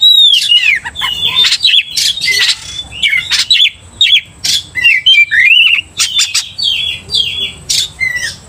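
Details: Oriental magpie-robin singing energetically to provoke rival magpie-robins: a long run of short phrases mixing sweet downslurred whistles, twisting warbles and harsh rasping bursts, separated by brief gaps.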